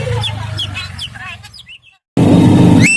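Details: Javan myna in active song: quick chirps and short bent whistles, then a pause and a burst of loud low noise with a sharp rising squeak at the close.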